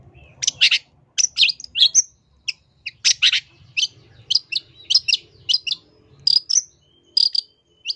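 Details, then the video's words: A long-tailed shrike (cendet) sings a rapid, varied medley of harsh chatters, sharp chips and high whistled notes in bursts about every half second. "Suara Cendet Gacor FULL Isian"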